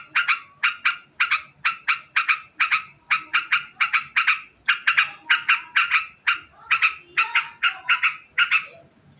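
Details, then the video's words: Long, very fast ngekek cackle of a sooty-headed bulbul: rapid harsh chattering notes, often paired, rolling on without pause for several seconds against a quiet background. "Suara Unik Burung Trucukan Ngekek Panjang Sangat Cepat"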